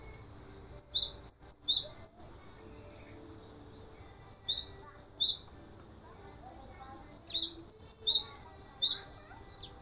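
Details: Three separate strophes of a male cinereous tit's tutor song, each a rapid chain of high, ringing doublets, divided by short pauses.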